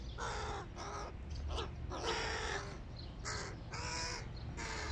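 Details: Big hooded crow chicks begging during breakfast with dense, overlapping hoarse caws, long rasping calls and quick short notes in near-continuous succession, above a low steady rumble.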